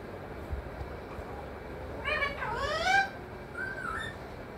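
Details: Pet parrot talking, taught to say mithu, mummy and papa; a few short voiced phrases with gliding, speech-like tones amid low room hum.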